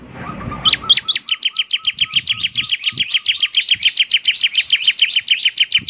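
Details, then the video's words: Bar-winged prinia singing energetically, a long unbroken train of rapid, piercing, downslurred chirps at over three per second, accompanied early on by a softer, lower repeated tone. "ciblek semi gacor, SEKALI putar saja ciblek semi PASTI ikut bunyi nyaut"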